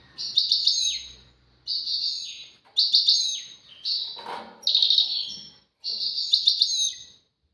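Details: European goldfinch song in tawawati and tbatbati styles, labelled a duet: six short bursts of bright twittering, each about a second long, evenly spaced with brief quiet gaps and one soft rustle.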